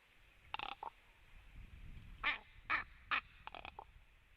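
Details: A Common Raven at a white-tailed eagle nest tree in Latvia, 15 October 2017 at 10:52, makes a run of short, hoarse, nasal croaks and knocking notes.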